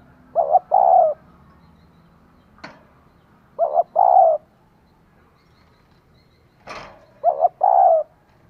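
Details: Female spotted dove calling to excite a male, repeating a low cooing phrase three times about every three and a half seconds, each a quick doubled note then a longer drawn coo, with a few sharp clicks between.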